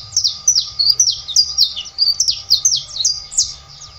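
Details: Saffron finch song, a lively chain of high, sharp, slurred chirps repeated about three per second, loud and continuous, over a low rumble and steady hum.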